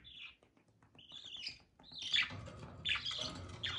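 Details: Mating budgerigars chattering in bursts of squeaky, buzzy warbling notes, high and harsh, overlapping toward the end with soft low rumbling underneath.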